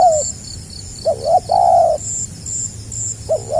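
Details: Spotted dove cooing in the 'gagap rapat selang nguku' manner, 2020 recording: a stuttered pair of short notes leads into a long, soft, slightly falling coo, then another stammer begins; thin high chirps sound in the background.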